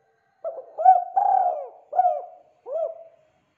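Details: Spotted dove giving a lively cooing phrase: five soft, low, hollow coos, the middle one longer and drawn out, the others short and clipped, in a quiet setting.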